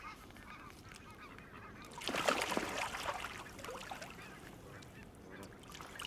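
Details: Flock of Canada geese surrounding a camera left on the grass at the water's edge where they came in to feed; a dense burst of overlapping loud honks swells after two seconds, then eases into continued scattered honking.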